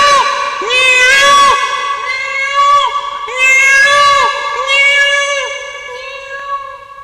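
Loud, nasal, cat-like wails from a peacock, several overlapping with sliding pitch and rich harmonics, coming in bursts every second or so.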